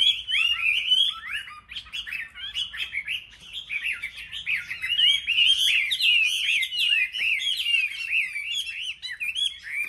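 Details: Chinese hwamei in a caged singing contest among selected birds: rapid, rich whistled warbling with many quick up-and-down slurs repeated in dense bursts, loud and clean with almost no pauses.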